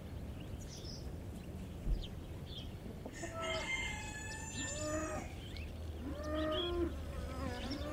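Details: Backyard chickens walking in a garden, eating grass and leafy greens; a drawn-out harmonic crow rises and falls in the middle, followed by a shorter crow, over a low steady rumble and faint clucks.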